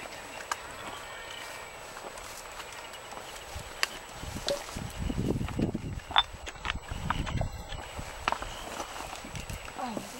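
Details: Courting waved albatrosses on Española's Punta Suarez in the Galapagos, heard as bursts of loud clattering and knocking in the middle seconds, with sharp clicks and a constant windy rush behind.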